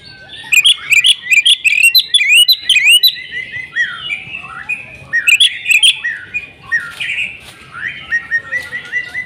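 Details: Oriental magpie-robin in full, insistent fighting song: rapid bursts of sharp, high chirped and whistled notes around three to eight a second, alternating with slurred, mellower warbled phrases, in quiet surroundings.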